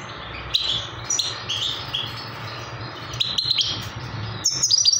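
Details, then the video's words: Young trained Himalayan goldfinch giving short high chirps and brief twittered phrases with gaps between them, a livelier burst at the end, against a low background hum. "trained baby himaliyan goldfinch best singing"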